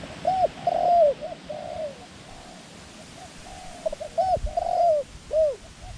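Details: Calling decoy dove luring wild birds: a burst of rounded, down-curving coos, a pause of soft background hiss, then another cluster of ringing coos ending in a single clear note.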